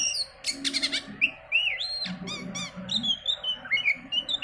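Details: Oriental magpie-robin song used as a lure to make other birds sing: loud, varied phrases of clear rising whistles, sharp high notes and quick chattering bursts over a low background murmur.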